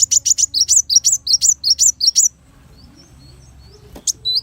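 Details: Kolibri wulung, the brown-throated sunbird, recorded as master song for teaching other songbirds: a rapid, fairly even string of about twelve thin, high twittering notes over two seconds, then near silence broken by one sharp note.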